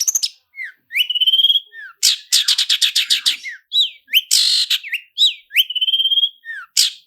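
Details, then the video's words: Long-tailed shrike song used as a lure, 'roll speed' and 'roll tembak' styles, full fill, clear: sweeping whistles and upslurs alternating with fast rasping rattles and bursts of noisy chatter. "SUARA CENDET ROLL SPEED DAN ROLL TEMBAK, PANCINGAN CENDET FULL ISIAN JERNIH"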